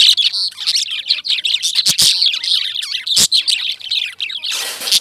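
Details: Lovebirds chirping together: a dense, overlapping chatter of high, sharp chirps and twittering notes, with brief clicks and a rushing burst of noise at the very end.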